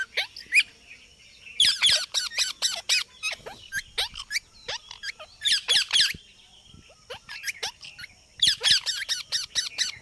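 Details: Parrot calling in bursts of harsh, high squawks and sharp chirps, with clusters around two, six and nine seconds and quieter clicks and short notes in between; no clear words heard.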